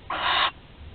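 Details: Thirteen-day-old barn owl chick, nest webcam in Théding, France, 20 July 2020, able to swallow prey whole; a single half-second burst of harsh, airy hissing.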